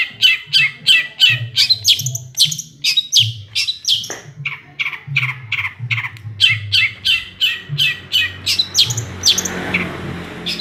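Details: Long-tailed shrike delivering mimicked small-bird phrases: a long, steady, rapid series of bright chirping notes, about three per second, fairly even in pitch, over a soft low hum.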